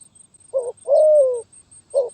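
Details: Zebra dove in the 'gagap tindan (sepatah)' song style, 23 January 2022: a short clipped coo, then a longer, smooth, slowly falling rolling coo, followed by another brief stuttered note, clear against a quiet background.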